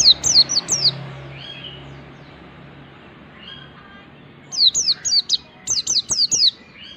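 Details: Mountain white-eye song for training other birds: two clusters of high, quick, downslurred whistles separated by a long quiet gap with faint soft chirps and low hum.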